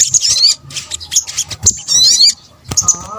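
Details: Indonesian sogok ontong, a sunbird, in a lure sound combination: several short bursts of very high, squeaky twittering with quick sweeping notes, separated by short quiet gaps.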